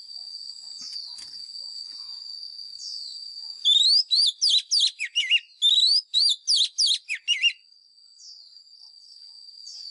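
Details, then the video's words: A white-rumped shama, a lure bird singing a fighting song for training caged birds, delivers two dense runs of ringing whistles, upslurred then dipping, after a quiet stretch with a steady high-pitched tone behind. "Chòe than mồi # Chòe than mồi Hót đấu CHIM RỪNG || Luyện giọng chòe than hót"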